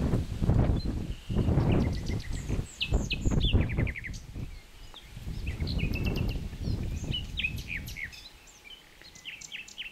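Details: Common nightingale singing over rustling noise: bursts of rapid repeated notes and quick trills, separated by short pauses, with sharp high chirps toward the end as the background quiets.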